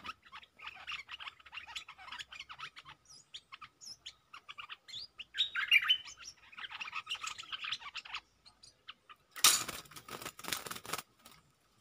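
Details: Caged stripe-throated bulbul acting as a decoy toward captured wild birds: long stretches of fast, bubbling chatter with louder warbled bursts, then a loud rattling flutter or cage noise near the end.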